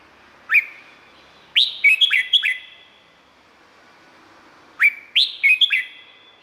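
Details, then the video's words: Red-whiskered bulbul from Thailand singing, a recording meant for training or exciting birds: a single rising note, then a fast run of four cheery whistles, with the pattern repeated a few seconds later. "เสียงนกกรงหัวจุก สำหรับต่อ หรือ เปิดให้นกคึก เสียงเพราะๆ"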